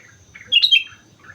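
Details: On Mount Slamet a sooty-headed bulbul gives a short, rich phrase of fluty whistles rising and falling, framed by softer warbles.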